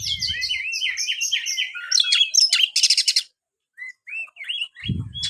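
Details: Kacer, or oriental magpie-robin, meant to prompt quiet kacer into song: a fast stream of looping whistles and harsh scraping notes for three seconds, then a pause and scattered soft whistles, with a low thump at the end.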